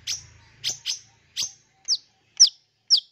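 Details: Long-tailed shrike calling on a lure recording for fresh wild-caught young birds, full of imitations; seven sharp, down-slurred notes about every half second, the last three clean and piercing, over faint low humming at the start.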